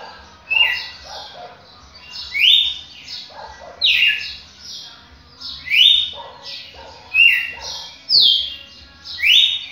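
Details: Champion red-cowled cardinal singing strong whistled notes that slide down from high to lower pitch, about every second or two, over soft lower chatter in the background.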